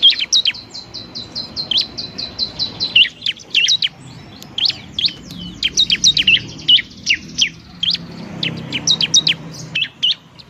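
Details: Bar-winged prinia, 'semi' variety, singing for therapy of reluctant cage birds: a rapid even trill of short high notes, then longer irregular series of sharp, whistled chirps.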